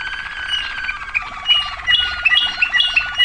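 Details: Waterslager canary in 2009 delivering a fast pulsing roll under scattered bright water-drop notes, rising in intensity toward the end.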